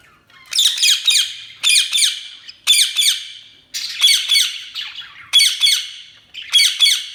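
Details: Budgerigars chirping in a steady series of short squawky bursts, each a cluster of two or three harsh chirps, repeated about once a second over a quiet background.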